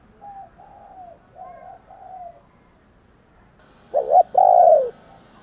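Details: Morning cooing of a spotted dove used to provoke fighting: faint far coos at first, then a loud near phrase of a quick doubled note and a long, slightly falling hoot.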